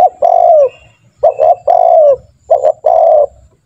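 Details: Spotted dove coo used to coax trained doves into calling: two loud phrases, each a quick doubled note followed by a long, gently dropping coo, separated by a short pause.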